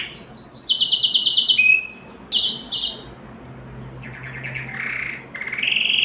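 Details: Canary singing to rouse females for breeding, opening with rapid high trilled phrases, then scattered short chirps after a pause, and closing with buzzy rolling notes and a steady trill.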